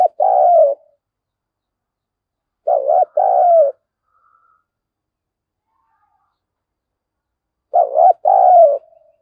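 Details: A decoy spotted dove, calling to goad wild birds into a fight, in the 'giọng thổ' style. Three deep two-note coo phrases are spaced by silences of several seconds, each a brief note followed by a longer sagging one.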